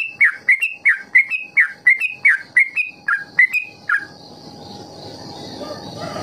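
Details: Trucuk (yellow-vented bulbul) ropel song for training young birds: about a dozen rapid, bright slurred chirps in the first four seconds, then the singing stops and only steady hiss remains.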